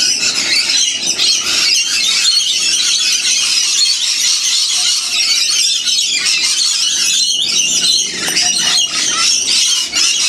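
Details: Many wild lorikeets screech together while getting a free winter feed of seeds and honeyed bread in the Blue Mountains near Sydney, Australia; harsh overlapping high squawks and chatter fill the whole stretch without pause.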